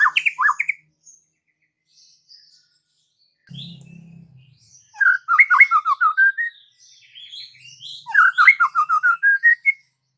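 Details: White-rumped shama singing several phrases of descending whistled notes in quick series, separated by quiet gaps with a brief low hum in between.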